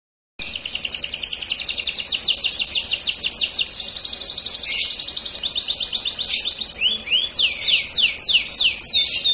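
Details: Dark-coloured male canary singing: a continuous high run of rapid trilled tours, some rolling, others made of repeated descending sweeps, with a brief burst of sharp notes midway and fast slurred downward sweeps near the end.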